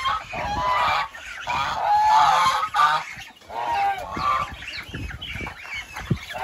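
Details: Continuous goose honking from several birds, harsh nasal notes rising and falling in uneven bursts with brief dips between them.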